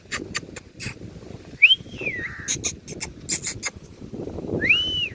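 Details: Hand-tame rose-ringed parakeet, a talking ringneck that speaks Urdu and Hindi, perched on a hand; clear whistled glides rising then falling, with sharp clicking and rasping bursts between them over a low background rumble.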